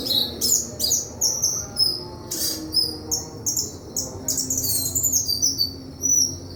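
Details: Busy, continuous song of a White-throated flycatcher: repeated high chirps and whistled slurs in rapid succession, interspersed with harsh scratchy bursts, over quiet low rumble.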